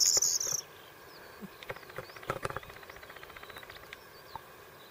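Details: Corn bunting (Emberiza calandra) in the Camargue: a loud, high jangling, tinkling burst at the start, then a scatter of faint dry ticks and clicks against a soft background hiss.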